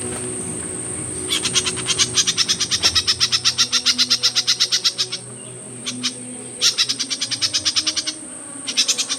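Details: Myzomela observed for behaviour research, recording dated 25 December 2022: long runs of fast, high, buzzy chips, roughly three per second, broken into several bursts, with a constant high-pitched background hiss.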